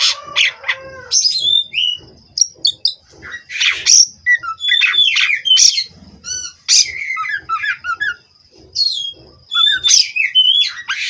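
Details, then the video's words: Captive-bred Oriental magpie-robin from Indonesia in long, rich song: dense sequence of whistled slides, trills, buzzy bursts and mimic-like varied notes, with a steady high tone in the background. "Terapi Burung Kacer Agar Stabil di Pedok. Bikin L4w4n Mbagong"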